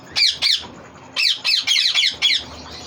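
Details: Green ringneck parrot kept as a pet, giving harsh, loud squawks in a burst of two, then a run of five quick repeated screeches, indoors.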